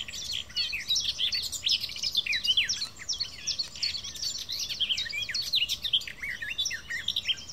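A garden warbler sings a long, unbroken, fast warble of mellow, varied notes, running on for over seven seconds with only faint background hiss.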